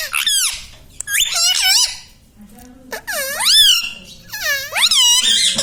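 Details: Indian ringneck parrot kept as a pet talks in a string of high, bending, rich-toned syllables, four main bursts close together; its stated phrases include mummy, papa and radhe radhe.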